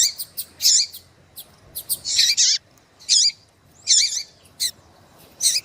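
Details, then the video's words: Calling female Double-collared Seedeater trying to excite a male: strong high, slurred chirps roughly every second, mixed with short sharp ticks and faint low background noise. "FÊMEA DE COLEIRO QUENTE CHAMANDO MUITO FOGOSA E PIANDO"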